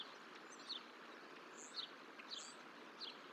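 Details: Bald eagles at the Decorah Hatchery nest in early May 2023, with a one-month-old eaglet and its parents close by during feedings. Thin, high chirps slide downward, coming in short bursts about every 0.7 to 1.2 seconds over a steady outdoor hiss.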